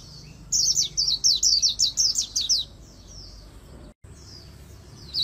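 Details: Oriental white-eye delivering its rapid 'líu đấu' fighting trill in magpie-robin style: a dense string of roughly a dozen high, sharply falling whistled notes over two seconds, then near-silence with faint distant notes and one last brief chirp.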